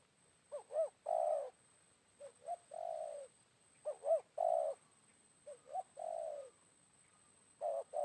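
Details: Wild spotted dove answering a decoy bird at midday after rain: repeated coo phrases, each of two short rising notes and a long mellow coo, five phrases over eight seconds at an uneven pace; constant faint high-pitched whine.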